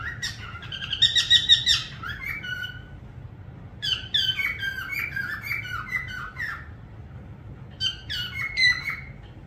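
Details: Parrot whistling in bursts of bright, warbling notes that slide up and down. Sharper squeaky chirps are mixed in, with pauses of about two seconds between phrases.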